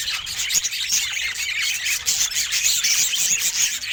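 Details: Budgerigar warbling: a steady stream of rapid, scratchy high chirps and squeaks with brief whistled flicks scattered throughout.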